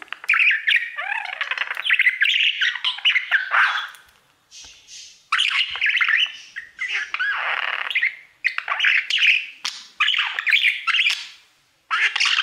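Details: Male pet budgerigar singing to his mirror through twelve seconds of warbled chatter in bursts of a second or two, separated by brief silences, full of buzzy trills, clicks and slurred whistles.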